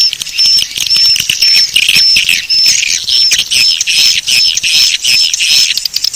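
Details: Call for luring swiftlets: evenly spaced short, high, slightly arched whistled chirps, roughly two per second, over a dense layer of shrill twittering and clicks.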